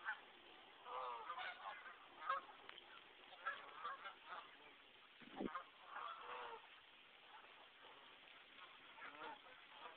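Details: Geese on a brook in West Concord, Massachusetts, during a January snowstorm, honking in scattered nasal bursts, some overlapping, over a steady hiss of wind and falling snow.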